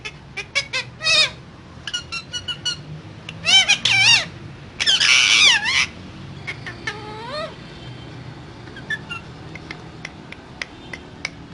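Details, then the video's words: Parrot makes quick chirps and wavy whistled notes, two loud rasping squawks near the middle, and a falling-then-rising whistle. The clip ends with sparse, fading clicks over a quiet indoor hum. "Raw Parrot Talking So Cute"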